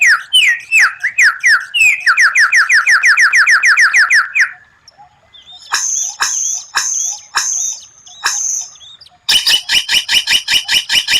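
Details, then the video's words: White-rumped shama training song with unusual 'tembakan' phrases: rapid slurred downward whistles repeated in quick series, a short pause, then spaced high buzzy notes and a fast, even, ringing trill to finish. "Masteran murai batu tembakan langka, suara aneh tapi memukau lawan"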